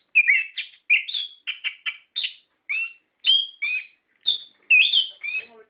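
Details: A rolling lure song from an orange-headed thrush for stimulating caged birds: crisp whistled phrases, each with a rising or falling twist, delivered in a steady run of about a dozen short bursts.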